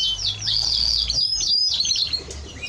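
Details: Timbrado Español canary singing a continuous run of high, rapid warbled and twittering notes with quick pitch sweeps, steady and unbroken across the whole stretch, over a faint low hum.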